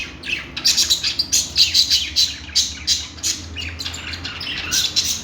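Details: Parakeet, the Australian budgerigar, calling in a quick series of sharp, high chirps and short squeaky notes, each roughly a few tenths of a second apart.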